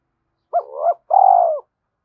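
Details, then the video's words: One spotted dove coo used for luring wild doves: a brief wavering hoot, a short gap, then a longer smooth coo that sinks slightly at the end, with quiet background. "Tiếng cu gáy thúc gù tốc độ/ cu gay kich boi nhanh noi gù"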